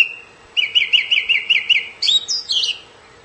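A song thrush repeats a clear, fluty note about seven times in quick succession, then switches to a higher, more varied whistled phrase.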